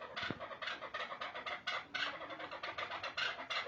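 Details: Rhythmic chukar partridge calls, a run of gritty chuck syllables at a lively, steady pace, with a soft thump near the start.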